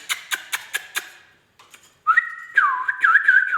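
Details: Indian ringneck parakeet kept indoors as a pet: a run of sharp clicks, a short pause, then steady clear whistled tones that hold level and end in a wavering warble.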